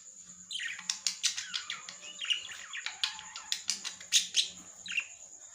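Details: Lovebird giving a fast run of sharp chirps and short harsh notes, many per second and rising and falling in loudness, over a steady high-pitched whine in the background.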